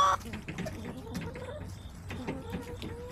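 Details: Backyard hens on a homestead camera, 21 September 2024: low, soft clucks scattered throughout, a few short murmured notes rising slightly, with a brief loud knock at the start and mixed background noise.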